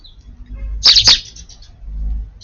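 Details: Sparrows feeding in a garden, one dominant bird driving the others off the food; a brief pair of sharp, high chirps in quick succession, then a faint note, with low background hum.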